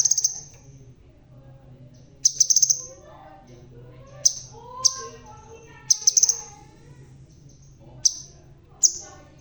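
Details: Bald red-tailed crimson sunbird singing energetically: bursts of rapid, thin, very high notes alternating with single sharp chips every second or so, faint low hum underneath.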